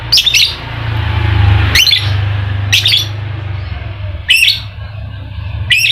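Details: Ngekek chatter from a lovebird, used to prompt a silent bird to sing: five short, high, rattling bursts at irregular intervals of one to one and a half seconds, against a steady low hum.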